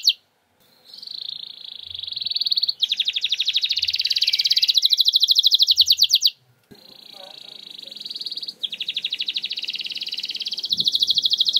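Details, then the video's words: Canary singing as a prompt for reluctant singers: buzzy trills and rapid pulsed rolls in two long phrases separated by a short silence, with faint background noise. "Solusi JITU Kenari Susah Bunyi! Bakal Langsung Respon Dengan Pancingan Kenari Nembak Ini"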